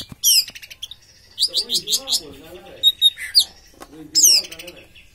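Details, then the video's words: Orange-headed thrush singing teler, its high rapid trills and whistles running over a lower wavering voice in the background. "Anis merah tak sesuai harapan, bodi bagus tapi teler ngaceng"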